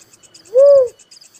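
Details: Little cuckoo-dove giving a single soft, rounded whistle-like note that swells and falls away, with rhythmic high insect chirps behind.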